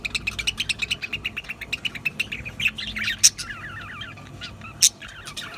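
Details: A budgerigar gives a rapid series of evenly spaced chirps, then wavy warbled whistles that swoop up and down, with two loud sharp squawks cutting in.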